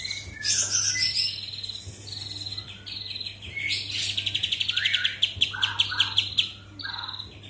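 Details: A kapas tembak bird sings a busy, complex song mixing high squeaky phrases, fast rattling chips and lower slurred whistles, with a steady low hum in the background.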